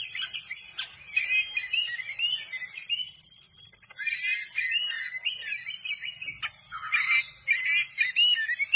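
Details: Oriental magpie-robin, gacor and tail open, pouring out a continuous warbled song of slurred whistles, a buzzy trill and rapid chattering notes.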